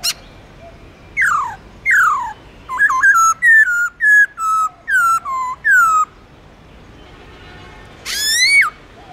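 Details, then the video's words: Caged black-throated laughingthrush singing forest-voice song with long slurs. Two steep downward whistles lead into a run of about ten clipped, ringing whistled notes, closing after a pause with one rich upward whistle. "Khướu Bạc Má Hót Giọng Rừng LUYẾN DÀI HAY"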